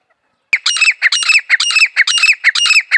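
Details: Harsh, ringing squawks of a grey francolin, known as desi teetar, beginning with a sharp click and repeated in a quick, even cadence of paired notes for two and a half seconds.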